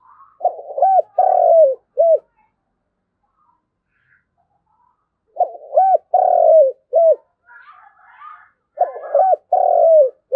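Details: Spotted dove decoy cooing to call its flock: hoarse phrases of short arched notes and a longer falling coo, repeated in three bursts separated by pauses of several seconds, with faint rustling between.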